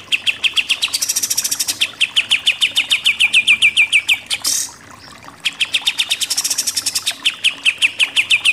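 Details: Pied triller giving 'nembak' shooting-style song: long, rapid trains of high, sharp repeated notes, some slurring downward in pitch, broken by a brief harsh burst and a short gap before the fast chattering resumes.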